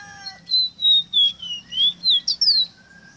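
A small songbird runs through about eight high, clear whistled notes in three seconds. The notes slur down and up, ending in a sharper rising flourish, over a faint low hum.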